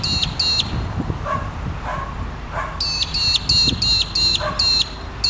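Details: Australian Magpie-lark, also called Peewee, calling: loud, ringing, metallic notes in a rapid run of about seven, after two opening notes, with a dog barking intermittently in the background.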